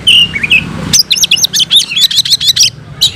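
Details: Kacer, or oriental magpie-robin, in fighting song with filler notes: a brief whistled phrase, then a rapid run of about a dozen sharp, high chips, some trailing into short buzzy slurs.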